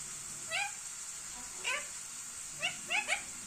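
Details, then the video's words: Indian ringneck parrot making short, sharp, upward-sweeping chirps, one near the start, one in the middle, then three close together at the end, with a steady high hiss in the background. "Funny parrot sound video"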